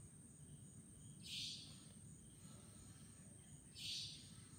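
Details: At Chunghsing New Village in Nantou, Taiwan, 11 April 2018, a savanna nightjar gives two short, rasping hissed calls roughly two and a half seconds apart against a continuous low hum.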